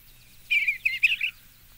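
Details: Eastern Bluebird singing a single short phrase of three or four soft, warbling, slurred whistled notes, clean background with a low hum.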